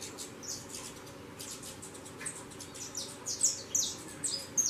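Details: Saffron finch fledglings leaving the nest and flying: faint, thin high chirps scattered through the first seconds, then louder sharp high tweets clustering near the end over a steady low background hum.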